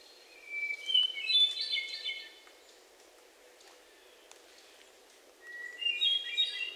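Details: Hermit thrush singing at Sudbury, Massachusetts, on 29 June 2023, recorded with a Sony PCM D50 and lavalier mics. Two clear, flute-like phrases each open on a sustained whistled note, then break into a rising, fluttering cascade of higher notes. A pause of about three seconds separates them, over quiet ambient hiss.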